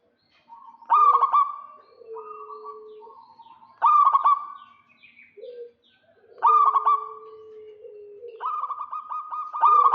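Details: Local zebra doves, male and female answering each other, calling to lure a rival: four loud rapid coo bursts roughly every two and a half seconds, with long low level coos between them.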